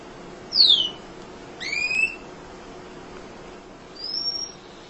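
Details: Munia song meant for tutoring other songbirds: a high descending whistle, a rising two-toned note, then a faint thin whistle after a pause.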